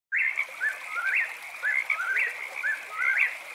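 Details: Eastern whip-poor-will singing at night: about three clear whistled three-part phrases, each ending in a sharp upward slur, roughly one per second, over a steady high frog chorus.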